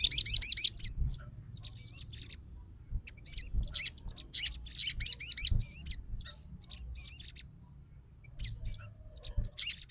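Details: Excited fighter sogon answering another singing sogon: repeated bursts of high, wavy chirping phrases spread across ten seconds, with quieter gaps between them and soft low background noise.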